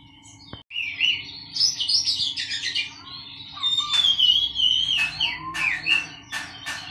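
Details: Oriental magpie-robin, a caged bird kept in a colony so it grows used to commotion and sings sooner, delivers a long rich warbling run of whistled notes, then sharp clipped chips repeated several times a second; faint hum behind.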